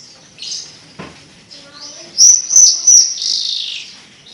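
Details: Javan bush lark with a melodious voice: scattered soft twitters and a click, then three piercing high whistles in quick succession, followed by a loud buzzy burst.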